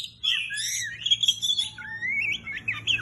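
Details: An Oriental magpie-robin singing energetically: sustained clear whistles, a long rising slurred note, then quick warbled phrases, all high and bright over a quiet low hum.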